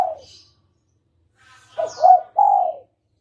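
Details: Spotted dove lure call for trapping, locally called tekukur. A fading note, over a second of silence, then one phrase: two quick hooting coos and a drawn-out, slightly falling croo.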